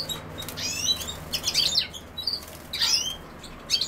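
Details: European goldfinch uttering quick, high tinkling twitters in two or three short clusters, with light background noise.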